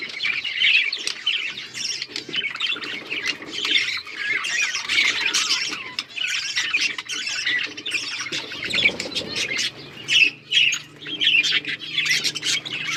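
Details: Flock of Australian parrots keeping up a busy, overlapping chatter of thin chirps, rolling warbles and harsher squawks that rises and falls in loudness throughout.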